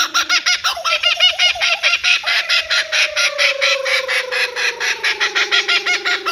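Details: Laughing Kookaburra laugh opening with short hooked hoots, then breaking into rapid raucous cackling pulses while a tonal note slides gradually downward.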